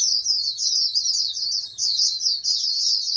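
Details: Continuous piercing warble from a captive-bred oriental white-eye groomed for national contests, fast and even throughout, with barely any pause.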